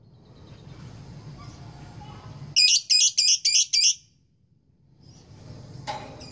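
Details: Caged lovebird, a female courting a male, giving the long ngekek chatter: five loud, harsh, high squawking notes in quick succession over about a second and a half, with a low hum in the background.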